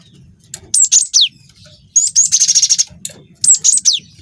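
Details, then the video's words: Lure song of a young, vigorously singing cinereous tit of the wingko type, with a long rolling phrase: a shrill three-note phrase with falling slurs, a rapid rattling trill of nearly a second, then another three-note phrase. "PANCING BUNYI GELATIK BATU GACOR WINGKO"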